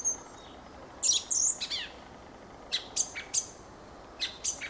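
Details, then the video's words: Fieldfare song made of scratchy squeals and clipped high notes in loose groups, with a few thin downward-slurred whistles between them. "Fenyőrigó ( Turdus pilaris ) éneke."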